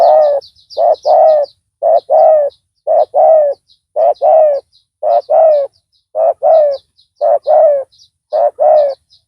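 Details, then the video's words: Loud-voiced decoy spotted dove calling in a lure: fast, regular run of paired coos, short then longer, with continuous high chirping of small birds in the background. "Pikat tekukur tapau Bl suara besar dan penguku.blnya pukul lari."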